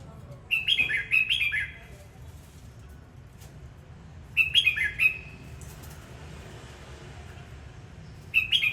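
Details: Red-whiskered bulbul singing and displaying: short bursts of bright warbled whistles around mid-high pitch, each phrase about a second long, repeated several seconds apart over a low background hum.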